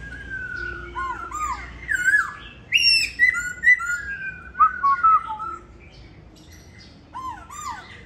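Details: Molting laughingthrush, kept caged at home in Hanoi, Vietnam: energetic song of sharp downslurred whistles and bright rising notes in quick bursts, a pause, then a final pair of looping whistles.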